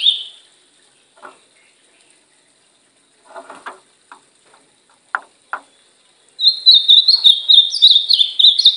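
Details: A captive brown-plumaged ultramarine grosbeak in training gives a brief clear note, scattered dry clicks and taps, then a fast, sweet warbled phrase of high rising and falling notes.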